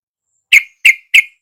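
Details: Yellow-vented bulbul, used as a lure so a reluctant caged bird will answer and sing: three sharp, emphatic chip notes in quick, even succession against silence.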